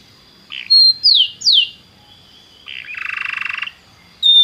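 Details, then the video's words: Belgian canary giving scattered song phrases: a few pure whistled notes and downward slurs separated by pauses, then a short buzzy trill and a final clear note, over a faint low hum. "canário belga muito lindo cantando"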